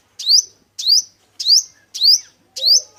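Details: Male five-coloured sunbird singing, recorded as a trapping lure: five identical high, thin phrases, each a bright upward-sweeping whistled note with a sharp downslurred tail, repeated about every 0.6 seconds, clean and without background sounds.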